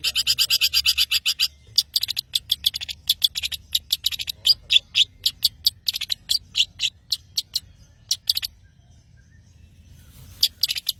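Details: Vigorous song of a Long-tailed shrike from Madura: dense, rapid series of sharp, high buzzy notes that gradually slows into spaced ticks, pauses briefly, then resumes with a few final notes.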